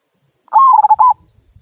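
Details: Zebra dove, local type, in "kung" song used for provoking other birds into singing; one bright, clear phrase of a drawn-out coo followed by rapid rolled notes, with soft low thumps after it.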